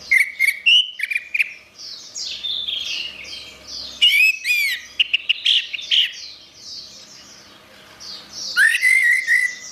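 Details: Orange-headed thrush in full vigorous song for training songbirds: loud clear whistled notes alternating with rapid twittering phrases and bursts of short sharp chips, with softer repeated chattering notes filling the pauses.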